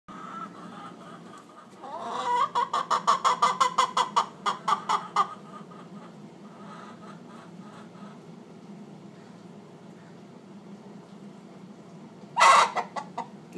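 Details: Domestic hen at a back door, ready to lay but kept from occupied nest boxes, giving the egg song: a burst of rapid, evenly spaced clucks for about three seconds, then quiet, then a loud squawk near the end.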